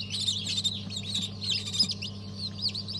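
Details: Chorus of freshly hatched chicks (Habeş, Sultan, İspenç breeds), hatched December 2022, giving high, thin peeps in a busy, irregular stream, with a constant low mechanical hum underneath.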